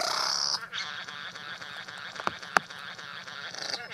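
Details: Male Satin bowerbird perched at his decorated bower in a garden, performing an elaborate courtship display for a visiting female, with mimicry; harsh buzzy, crackling chatter with a loud sharp click near the end.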